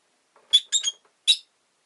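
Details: Pet rosy-faced lovebird chirping: four shrill, harsh chirps in quick succession, a tight pair in the middle and a lone one after a short pause, with quiet background.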